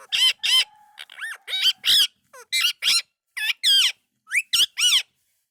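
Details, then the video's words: Talking Indian ringneck parakeet gives loud harsh speech-like syllables in clusters, with a faint steady hum underneath early on and sweeping, hook-shaped notes later. "Best Indian Ringneck Talking Parrot"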